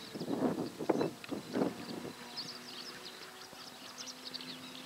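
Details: A cattle egret at Albufera Natural Park, Valencia, Spain, gives three harsh, low croaks in quick succession, then falls quiet while faint high twittering of small birds continues.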